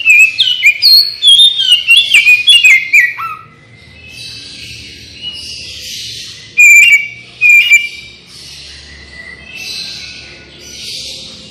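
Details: Oriental magpie-robin song played as a lure to draw quick responses from other birds; three seconds of rich, twisting whistles, then quiet hazy pauses broken by two short, loud whistled bursts.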